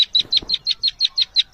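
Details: A newly hatched partridge chick, egg-sized, keeps calling from on leaves while trying to hide. It gives thin, high, slightly falling peeps, about six or seven per second, with faint rustling.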